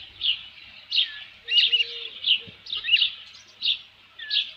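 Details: High thin chirps from an osprey at its nest with a headless fish, midday 27 June 2018, spaced roughly a second apart, some with a slurred downward tail.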